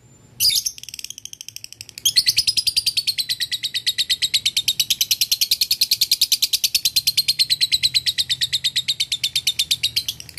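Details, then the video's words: A male lovebird, used as a lure, calls a rival with one piercing shriek, then after a short gap launches into a long, fast, loud ngekek rattle of high pulses lasting over eight seconds. "Lovebird jantan memanggil lawan dibsertai ngetik ngekek"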